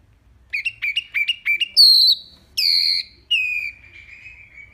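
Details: Wambi singing loudly and clearly: a quick series of short sharp chirps, then several long pure whistles, one falling slowly and fading out.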